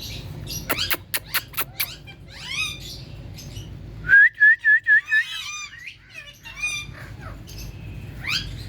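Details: Rose-ringed parakeet, a ringneck talking parrot, vocalizing with sharp squawky calls, scratchy chatter and a clear run of five short whistled notes, while another parrot watches.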